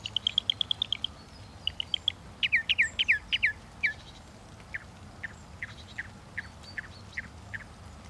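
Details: Northern mockingbird singing: a run of quick repeated notes, then a change to a new phrase, then a series of sharp downslurred notes spaced about half a second apart, over a low background hum.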